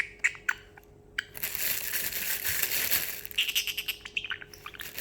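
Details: Excited pet parrotlet indoors after treats, imitating water sounds: a long rushing, hissing splash-like noise lasting about two seconds, framed by scattered clicks and a fast run of ticking notes near the end.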